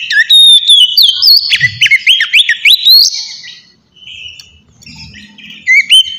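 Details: Relaxed white-rumped shama song used to draw in wild shamas: loud whistled slurs in quick succession, a pause with faint low rumbling, then one more whistled phrase.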